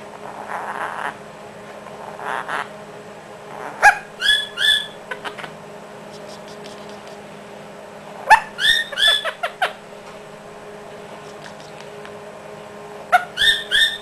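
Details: Quaker parrot practicing chatty talk: short bursts of harsh, warbling chatter with whistled inflections, in three clusters about four to five seconds apart, separated by near quiet over a faint steady hum.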